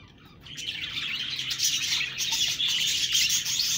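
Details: Budgie chirping begins after a short quiet start, then builds into fast, dense, high-pitched chatter with quick repeated twitters.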